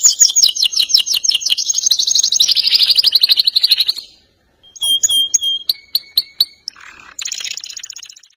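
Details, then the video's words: Singing canary in the ngerol nembak style: four seconds of rapid buzzy rolling trills, a brief silence, then scattered clear ringing high notes and short chips, ending with another fast trill. "KENARI GACOR NGEROL NEMBAK | CANARY SINGING"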